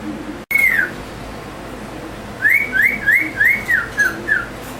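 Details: A pet cockatiel indoors on a hot day of about 90 degrees gives a single arched whistle, then a quick run of six rising-and-falling whistled chirps.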